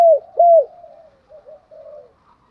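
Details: Spotted dove coo, part of a compilation of cooing voices used to lure rival males: two loud low hooked coo notes, then softer trailing cooing notes fading away.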